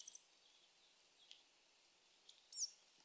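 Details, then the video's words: A Eurasian nuthatch in Japan gives a few thin, high chips at the start, then one sharp, falling note near the end, over a soft outdoor hiss. "ゴジュウカラ Eurasian nuthatch"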